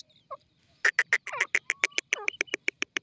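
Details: Grey francolin (teetar) calling in the morning: a faint note, then a fast run of about fifteen harsh, clipped notes, each peaking sharply and repeated several times a second with slight unevenness.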